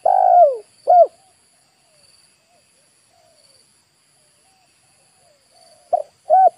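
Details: Spotted dove lure call for attracting wild birds, Indonesia: two separate cooing phrases, a long descending coo then a short one, followed by a quiet gap and another pair of coos near the end.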